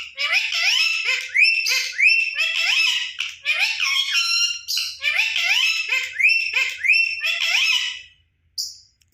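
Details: Pet Indian ringneck parakeet on a bed, chattering to itself, reportedly talking to its own reflection; loud, continuous high squeaky chatter with rising whistled notes and harsh bursts in rapid runs, brief pauses, a short squeak at the end.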